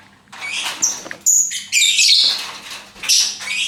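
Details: Pet lovebird producing loud, shrill, scratchy squawks and chirps that run into one another, with a short sharp whistle-like note in the middle and a faint low hum behind.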